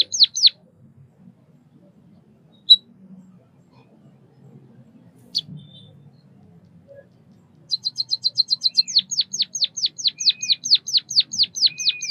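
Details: Mostly quiet at first, with a few isolated high chirps from a white-headed munia. Then a fast, loud run of high repeated notes turns into a long series of descending chirps.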